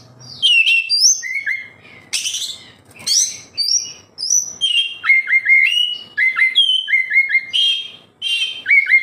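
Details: Oriental magpie-robin song meant to spur captive birds into singing; a long varied run of sharp whistles, brief buzzy bursts, and repeated falling two-part whistled phrases delivered rapidly with short pauses.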